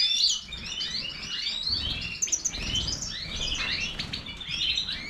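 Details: Goldfinch of the Major type singing brisk twitters and slurred whistles in a continuous, lively run, with a faint low thump in the background.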